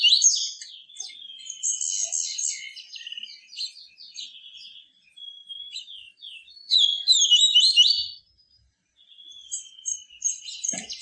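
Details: Captive yellow-bellied seedeater singing the pure 'tui tui viviti' style of song: rapid, twittering high phrases with buzzy trills and thin whistled notes, delivered in dense bursts separated by brief pauses.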